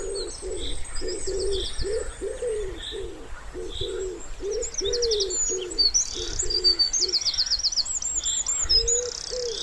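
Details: Wood pigeon at a quiet pond in spring, a run of about ten deep rhythmic coos over six seconds, a pause, then more coos, with rapid high songbird trills overhead.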